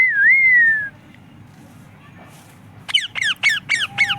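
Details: Talking parrot said to say "mummy papa": a sustained rising-then-falling whistle lasting nearly a second, a quiet gap, then five sharp downward-sweeping harsh notes in quick succession.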